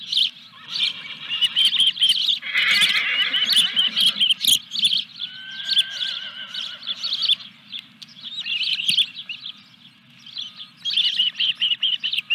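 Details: Osprey at Dunrovin Ranch on 14 July 2021, during a fish delivery: rapid high chirps about twice a second. A lower, harmonic, whinny-like call breaks in twice partway through, and a low hum persists.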